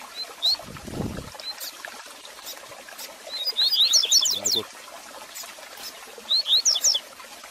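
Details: Double-collared seedeater song used to warm up and teach a caged male: three short bursts of high, sharply rising and falling whistled slurs, the longest near the middle, with a low thud early on and faint background hiss.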